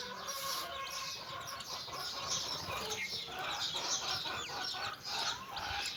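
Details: A mother hen calling her chicks to go for a walk while they play. Quick, throaty clucks repeat about twice a second, mixed with a dense layer of high chick peeps and light wing flapping.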